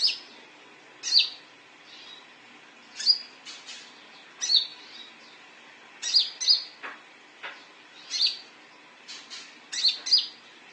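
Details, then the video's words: Repeated high chirps of a konin (olive-backed sunbird), played as a lure for birds: sharp single and doubled notes scattered irregularly, some in quick pairs, over about ten seconds. "Suara panggilan konin"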